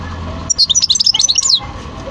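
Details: European goldfinch singing: a quick burst of bright, tinkling twitters and chirps lasting about one second, with a steady low hum underneath.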